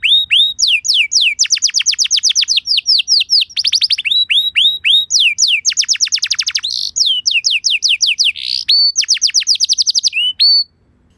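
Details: Canary lure song intended to trigger a reply from other canaries: near-continuous fast trills of downswept chirps mixed with rising whistles and a buzzy note, ending abruptly in silence.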